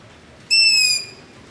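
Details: Long-eared owl begging call in the dark near a house, ZOOM H5 with LOM Usi Pro microphone: one clear, shrill, slightly descending squeak of about half a second, surrounded by faint background hiss.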